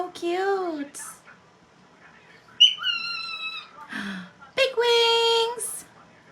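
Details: Pet cockatiel in a small room producing talking sounds: a wavering, bending phrase, then higher nasal, slightly falling phrases and a rough, sustained note near the end, with brief hissy bursts between them.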